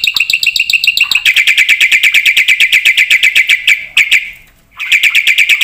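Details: Black-winged myna singing hard: a fast run of ringing, slightly buzzy notes at steady pitch, repeated several times a second, pausing briefly near the end before resuming.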